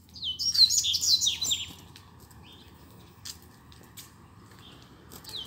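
A rusty-collared seedeater gives a rapid burst of high, sweet warbled notes and rising slurs for nearly two seconds, then brief chirps over quiet background hiss.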